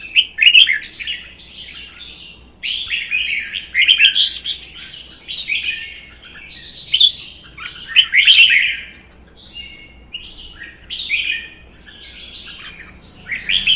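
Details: Red-whiskered bulbuls kept in cages sing in a contest, including a mature wild-caught bird; rapid, cheerful whistled phrases repeat every second or two, some overlapping, with brief quiet gaps.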